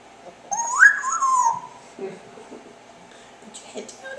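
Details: Pet parrot indoors in the afternoon making chirping noises: one smooth whistled chirp that rises, then slides down over about a second, followed by quiet room sounds and a few faint short clicks and squeaks near the end.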